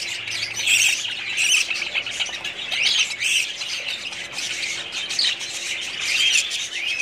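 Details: Continuous high-pitched chatter of a budgerigar breeding colony, many birds chirping and squawking over one another, loud bursts coming and going every second or two.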